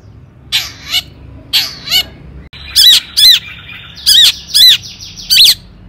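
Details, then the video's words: Long-tailed shrike in lively song for luring other shrikes: harsh nasal double notes give way to loud, clipped chattering phrases repeated about every half second over a steady high whistle. "cendet gacor AMPUH TOET TOET PANCINGAN CENDET AGAR BUNYI"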